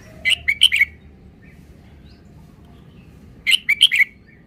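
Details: Red-whiskered bulbul repeating a four-note bright, bubbling whistled phrase twice, about three seconds apart, with faint soft chirps and low hum between.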